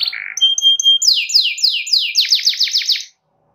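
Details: Singing canary in lively, vigorous form, aimed at prompting other canaries to sing: a low note, pure level whistles, then a series of swooping downward slurs speeding into quick repeated sweeps before silence.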